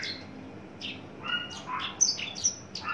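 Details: Mature caged male Horsfield's bush lark, tame and very loud by nature, newly coming into breeding condition. Sparse chirps and short sweeping notes grow busier toward the end, with sharp high accents.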